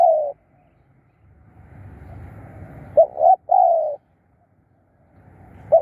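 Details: Decoy spotted dove calling to lure wild birds: a short, mellow coo opens, then after a pause with low rumbling background comes a clipped two-note coo followed by a longer drawn-out croon.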